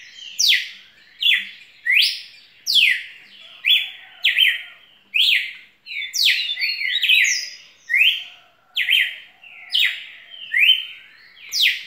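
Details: Red-cowled cardinal, singing a great deal: an even series of loud whistled slurs, mostly steep downstrokes followed by short level notes, repeated roughly every second, with faint soft taps early on.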